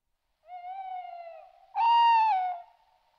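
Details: Tawny owl at night: a hollow, steady hoot of about a second, then after a short pause a louder, wavering hoot. No other sounds.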